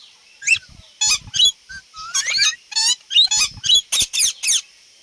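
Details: Ringneck parrot talking and making natural sounds: a string of shrill, warbling, speech-like syllables with rising and wavering tones, about a dozen bursts separated by short silences.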